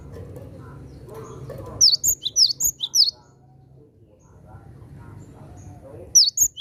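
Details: Great tit calling to attract wild ones. Quick strings of piercing, high, downswept notes form two-note motifs, with low rumbling background noise between the bursts.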